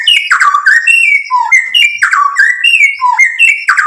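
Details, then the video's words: White-rumped shama in gacor song used as a provoking lure, showing off its repertoire. Loud, rich whistled phrases slide downward in quick succession, mixing sharp clicks with clear fluted notes, each phrase changing pitch. "MURAI BATU GACOR MEMANCING EMOSI JADI NYAUT BUNYI BONGKAR MATERI ISIAN | PANCINGAN MURAI"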